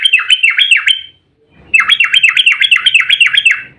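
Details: Agitated fighting song of a yellow-vented bulbul, played as a lure so bulbuls answer: rapid chains of rolling, down-swept warbled notes, about four per second, in two bursts split by a brief silence.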